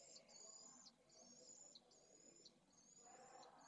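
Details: Pallid swift chicks at a nest in Jerez de la Frontera, Spain, asking for food on 8 September 2022, from a nest camera. Quiet, drawn-out, thin buzzy notes, each lasting roughly half a second, come in a steady series against soft background noise.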